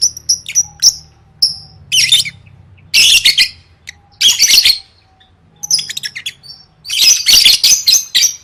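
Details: Lovebird singing as training audio for singing contests: scattered thin high notes, then long bursts of dense raspy chattering separated by pauses.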